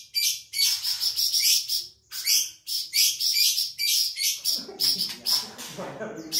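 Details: Energetic song of the flamboyan bird, an insect-eating species common around Sumatra: rapid clusters of shrill, rasping chirps, several per second, broken by short pauses, with faint low background sounds near the end.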